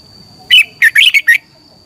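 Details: Red-whiskered bulbul singing in the morning, a competition song used as a decoy to train and stimulate other birds. One short burst of chirpy, warbled notes with a steady electronic whine behind it.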